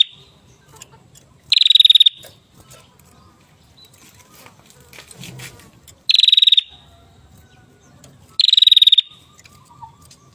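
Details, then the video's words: Caged hill prinia singing hard: three short, buzzy, fast-pulsed trills spaced a few seconds apart, with quiet low hum between them. "prenjak gunung gacor parah"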